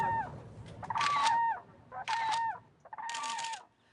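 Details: Whooping Cranes in a Texas coastal marsh, two seen from a tour boat, one giving three loud, bugling trumpet notes, each slightly down-slurred, about one per second, over breezy background noise.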